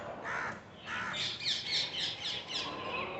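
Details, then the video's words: Parrots calling from trees: two coarse squawks, then a rapid run of shriller, scratchy screeches, about four per second, rising in pitch and loudness before tailing off, against a faint background hiss. "Parrots in the trees"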